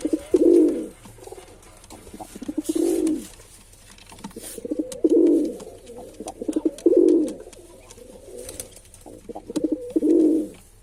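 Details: Male pigeon cooing: five loud, low, rolling coos about two seconds apart, each led in by softer stuttering notes, with faint clicks and rustles between.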